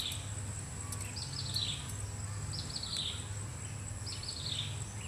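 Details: Common flameback woodpecker, looking for food, utters rapid chattering trills that drop in pitch, three runs about 1.5 seconds apart. Faint clicks, a steady shrill insect tone and low background rumble accompany it.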